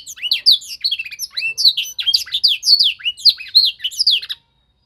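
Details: Young canary in singing training, imitating a master song indoors: lively rapid high notes, slurred whistles and chirps in quick succession, ending abruptly in silence.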